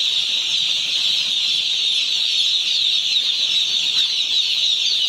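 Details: One-day-old chickens on a poultry farm, many chicks peeping at once in a dense, steady, high-pitched chorus that blurs into a continuous shrill wash.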